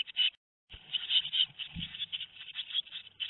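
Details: Tit nestlings two weeks old at Théding, May 13, 2019, start with a squeak, fall silent briefly, then resume a dense high scratchy chirping with a few low bumps.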